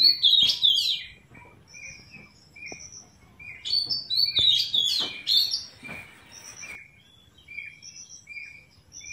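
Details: A pet Ringneck parrot talking while eating apple indoors: loud high chirps and sharp whistled notes come in bursts, with short squeaky phrases repeating about four times a second.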